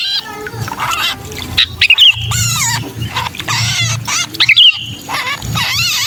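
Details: Agitated screeching of a sooty-headed bulbul in distress, used as a lure for bulbuls: rough harmonic squawks run almost without pause, with two shrill whistled accents, over a faint low hum.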